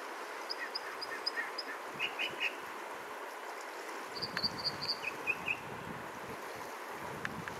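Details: American dipper in Alaska, 7 June 2022, singing high, clear notes in short repeated groups, alternating higher and lower phrases, over the steady roar of rushing water.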